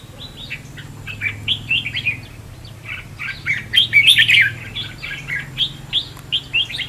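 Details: Red-whiskered bulbul giving contest-style decoy song, used to train birds, provoke singing, and lure birds into traps: quick bursts of bright, slurred whistled notes, one after another with short gaps, rising to a louder cluster midway, with a faint low hum beneath.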